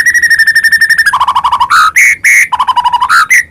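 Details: Singing white-rumped shama, a call meant to provoke other birds into song: rapid rattling trill that drops to a lower pitch, followed by loud rich whistles alternating with further low rattled note runs.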